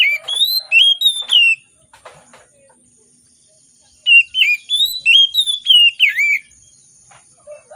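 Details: Oriental magpie-robin singing in the morning, a lure for birds reluctant to sing: two bursts of melodious slurred whistles about three per second, separated by a quiet stretch with a few soft ticks.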